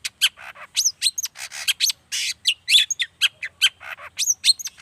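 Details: Fast, busy song of a long-tailed shrike (cendet), a dense mix of harsh buzzes, sharp ticks and slurred whistled notes with barely a pause, meant to stir other shrikes into singing.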